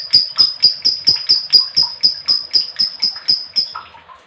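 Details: Female lovebird giving a long 'ngekek' trill meant to set other lovebirds singing: a fast run of sharp, high chattering notes, about four or five a second, lasting nearly four seconds before trailing off into softer chirps.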